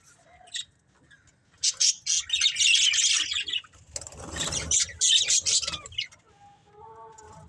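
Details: Playing and eating pet budgerigars give bursts of fast, harsh high chirps, separated by quieter stretches with a soft rustling noise and a few faint tonal notes.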